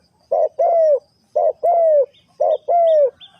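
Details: Three-kuk hanging style spotted dove call: three loud pairs of coos, each a brief rough note followed by a longer slurred note falling at the end. Thin chirps from another bird sound at the end.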